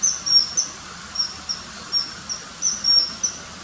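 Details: Sharp, piercing short whistles from a common kingfisher, about a dozen brief notes in irregular clusters, high and thin over a light background hiss.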